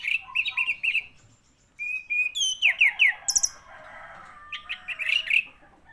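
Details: Orange-headed thrush song of quick repeated whistled notes, then descending slurred whistles and a softer warbling passage ending in rapid chirps.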